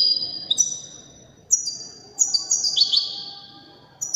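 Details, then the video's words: European goldfinch of the Widani type, in an elegant performance: clear high whistled notes held and sliding down, in short phrases separated by pauses, with a faint low background hum. "تغريد رائع أناقة في الأداء طائر الحسون الويداني"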